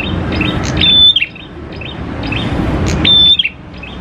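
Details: Singing prinia meant to lure others into song: two phrases of soft chirps ending in a clear, flat, high whistle, about two seconds apart, over low noise.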